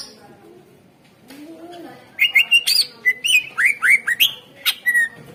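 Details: Greater green leafbird singing energetically in a lure recording to coax silent birds into song: after faint low whistles, a fast, loud series of sharp notes and downward-slurred squeaky whistles, repeated several times each second.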